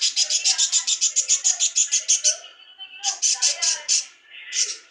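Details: A pet parrot indoors delivers a rapid train of scratchy, high-pitched screeches, about four per second, for over two seconds. Quieter garbled chatter follows, then shorter bursts of the same grating notes.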